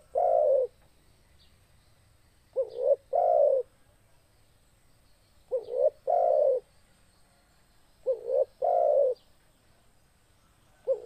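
Spotted Dove cooing: low, mellow phrases of a short note then two longer rolling coos, repeated about every three seconds over a quiet background.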